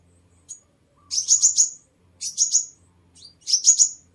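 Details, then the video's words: Sunbird lure song: three short bursts of rapid, very high, squeaky chirps, each under a second long, with a quiet low hum between them. "Tiếng Chim Hút Mật 7 Màu || Hút Mật Xác Pháo"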